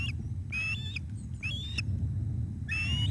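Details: Male osprey delivering a fish to the female at the Loch of the Lowes nest on a July evening in 2021: longer, drawn-out whistled cries, some rising and some level, given in four bursts with pauses, over low background rumble.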